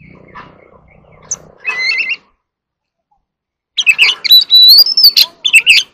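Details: Oriental magpie-robin singing against a rival: a low rough buzz, then a double whistled note, a pause, and a fast loud series of rising whistles and sharp notes.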